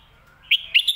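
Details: Brief red-whiskered bulbul song fragment in lak wai / mae bot style: after a faint lead-in, three or four loud, bright, ringing whistled notes follow in quick order.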